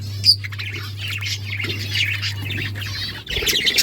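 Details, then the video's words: Pet budgerigars, Australian parrots, warble in an unbroken stream of wavering, chattering notes with a high squeak at the start, a low hum running beneath until near the end. "Beautiful Australian parrots chirping sounds"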